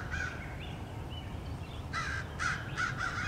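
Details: American crows mobbing a male bald eagle returning to its nest, recorded 30 March 2016; harsh cawing bursts, several crows calling in quick irregular runs over low wind rumble.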